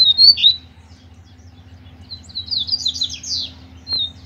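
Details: Double-collared seedeater, caged, dueling in song with a loose male: two loud, high, sharp whistled notes, then a rapid, jumbled series of sweet twittering phrases and a final short high whistle, over a faint hum.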